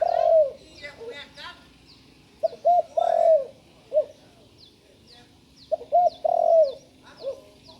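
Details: Juvenile spotted dove just beginning to call. It repeats a low cooing phrase twice: two quick hoots, a long drawn, falling coo, then a short trailing note. Other small birds chirp softly in the background.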